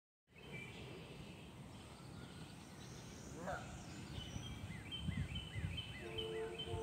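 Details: Black-bellied whistling ducks at Joseph Tribble Park on 20 May 2023 give thin, repeated whistled notes in quick series, with other bird calls over a steady low rumble of wind or distant traffic.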